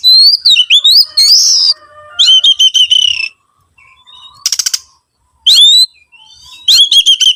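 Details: Oriental magpie-robin singing, played as a lure to get other birds singing: bright whistled slurs and stuttered notes alternating with a buzzy rattle, with a few quiet gaps between phrases.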